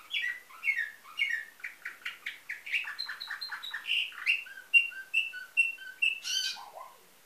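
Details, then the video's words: Nightingale-type song of a canary from a Varna, Bulgaria breeder: fast rhythmic rolls of descending chirps, then clear repeated whistles, ending with a brief harsh burst and low slurred note. "Bülbül ötümlü kanarya , canary - Nightingale"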